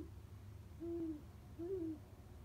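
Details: Low hooting from an owl perched in an old backyard oak at 2:34 am, two separate soft hoots about a second apart against a quiet nighttime hum.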